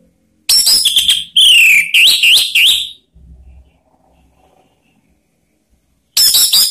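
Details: Call of an orange-headed thrush meant to encourage other birds to sing: rich, loud whistled notes that dip and swoop over about two and a half seconds, then a pause, then another burst begins.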